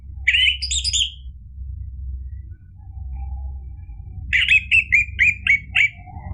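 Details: Lively orange-headed thrush song meant to stir other birds into singing back: a short warbled phrase, a pause, then a run of about seven sharp, separated notes, with a constant low background hum.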